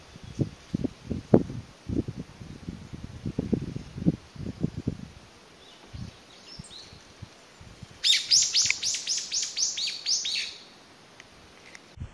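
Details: Brown-eared Bulbul separated from its family, calling for companions in May 2021; low rustling and knocking fill the first seconds, then a rapid series of shrill harsh notes comes late on.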